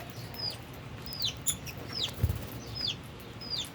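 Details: Albino and Fischer's lovebirds eating and playing utter sharp descending chirps at irregular intervals, mixed with brief fluttering or clattering bursts and a single low thump.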